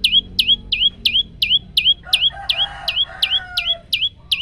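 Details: Phone recording of a singing male olive-backed tailorbird giving rapid, evenly spaced high whip-like notes, roughly three per second, while a softer, lower chattering bird sound runs underneath in the middle stretch.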